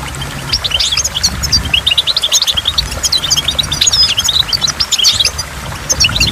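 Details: Goldfinch singing beside a waterfall: a dense, high, rapid twittering of short chirps and trills runs throughout, over a steady low rush of falling water and dripping.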